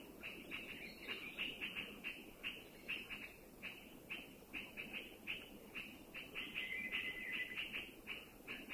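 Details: Thai forest sentinel, the puff-throated bulbul, warns of any intruder or danger with a quick run of scratchy notes, roughly three each second, while a constant insect drone and low murmur persist.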